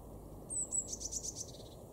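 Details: Eurasian blue tit in a garden in Weener, East Frisia, northwestern Germany, in February 2023: a faint, very high thin note followed by a quick run of tiny tinkling trilled notes, over low background rumble.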